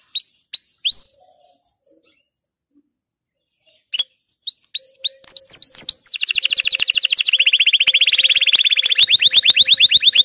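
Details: Breeding-ready male canary, excited: a few separate rising whistled notes with silences, then a swelling series of sweeps that breaks into a long, fast, buzzy trill to the end.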